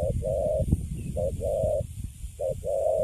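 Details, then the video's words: Caged young spotted dove described as Cấn Sấm, calm after capture, giving three two-part coos: brief note, short gap, then a long flat hoot, with faint low background rumble. "Thổ tơ Cấn Sấm, Bắt về cho vô lòng là đứng im ru. Nước Gù khá là Tốt."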